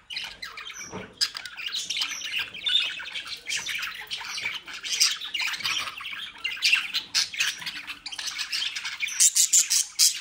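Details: A home-bred group of budgerigars in the Den Haag region, Netherlands, fills the room with continuous overlapping warbling chatter, rasps and shrill chirps, several birds calling at once with no real pause.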